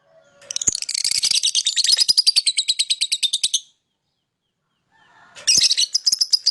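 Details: Lovebird singing and chirping to lure other birds: a long rapid stream of harsh, buzzy, pulsing chatter, a brief silence, then another loud burst of the same shrill chatter.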